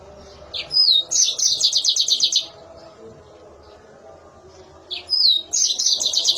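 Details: Mozambique canary singing shrill and sharp: a high whistled slur followed by a fast run of clipped, evenly repeated chirps, a long pause with faint background hum, then the same phrase starts again.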